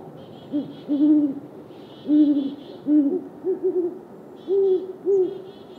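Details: Great horned owls, a male and female calling back and forth with territorial calls: deep, soft, rounded hoots in short groups, answered alternately, while bursts of higher, rapid clucky chitters sound over them.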